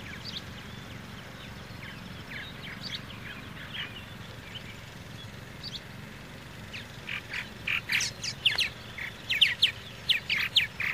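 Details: Purple martin: a few faint scattered chirps during the quiet first seven seconds, then louder, quicker gurgling chirps building to an excited burst near the end.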